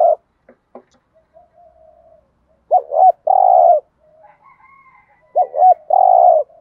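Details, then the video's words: Thổ pha gù thúc cooing of a spotted dove meant to stir up wild doves (kích bổi): a faint low hum, then two phrases, each a quick double-bent note followed by a long, even, mellow coo. "thúc gù/ cu gáy thổ pha gù thúc/ tiếng chim cu gáy kích bổi mới"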